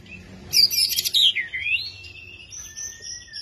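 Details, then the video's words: Long-tailed white-rumped shama, a kept songbird, singing a loud shrill burst of bright notes that slides down into a slurred whistle, followed by soft steady held tones at different pitches. "MURAI EKOR PANJANG"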